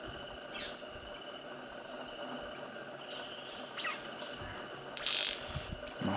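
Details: Young male White-bearded Manakin at Jaqueira Reserve, Pernambuco, north-east Brazil, in May 2012, giving three short, sharp, snapping bursts at irregular intervals over a steady, high insect drone.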